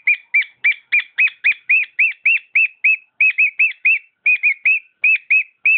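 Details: Domestic cockatiel in song, repeating arched whistled notes in a quick, slightly uneven rhythm, around three or four each second, with nothing else heard.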